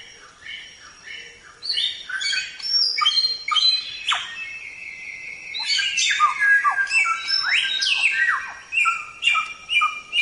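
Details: Songbird training recording of a Samyong singing steadily: quick chattering phrases, then a sustained flat whistle and a cluster of descending sweeps, delivered at an irregular, lively pace.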